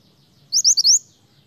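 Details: Snowy-browed flycatcher song: a thin, very high phrase of four quick upslurred notes, all within half a second, over a faint low hum.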